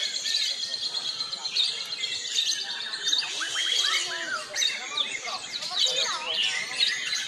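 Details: White-rumped shama entered in the shama class of a practice songbird contest in Jepara, Indonesia. Rich, varied song of whistled phrases, rapid trills and sweeping notes, densely overlapping with other birds singing at the contest.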